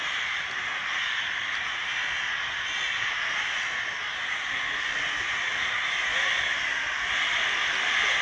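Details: Summer evening flock of crows gathered outside a window, making a loud racket: a dense, continuous wash of overlapping harsh cawing from many birds with no single call standing out, steady throughout.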